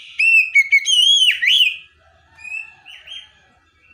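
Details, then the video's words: Kacer, the Oriental magpie-robin, singing a full fill-in tutor phrase with calling tones. A dense run of clear, ringing whistles with a sweeping drop is followed by softer, separate rising whistles. "Masteran Burung Kacer Full Isian Dengan Nada Panggilan 100% Nyaut"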